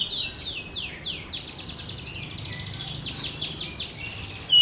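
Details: Oriental magpie-robin of the blorok type, a kept songbird in active song while pushing its tail: a long rapid series of high downward-swept notes. The notes speed up into a dense chatter in the middle, then slow again.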